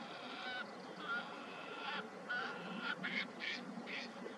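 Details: Bar-tailed godwit (Limosa lapponica), call.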